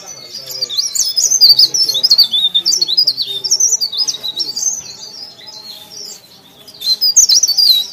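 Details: High-pitched, fast warbling song from a leaf warbler in full voice: bursts of thin zigzagging notes follow one another almost without pause, a brief lull comes near the end, then another loud burst.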